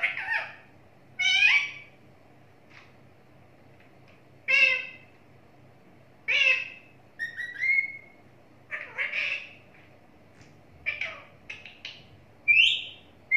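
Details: Talking parrot kept as a pet, delivering scattered bursts of squawks, falling harmonic syllables and brief clear whistles, spaced every one to two seconds, with quiet pauses between in an indoor setting.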